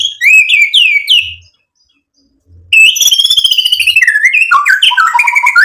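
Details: Lively white-rumped shama song meant to provoke other birds into answering with mimicked material: a run of falling whistles, a silent gap, then a fast dense stream of chattering, descending notes.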